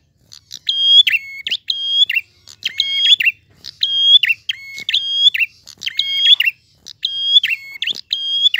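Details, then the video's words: Repeated prinia phrases: pairs of bright, level whistles ending in a falling chirp, sung at a steady rhythm about once a second, loud and clean. "Prenjak Gacor Ngalun. Suara jernih."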